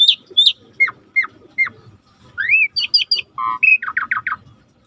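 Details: Starling gacor song used as masteran: a few downslurred whistles spaced evenly, a short pause, then a rising slurred whistle, buzzy harmonic notes and a quick run of chattering trills.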